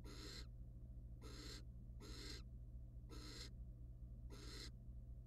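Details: Wild barn owl pair at a research nest box during mating and preening; five rasping, noisy hiss bursts about a second apart, each roughly half a second long, with a constant low hum beneath.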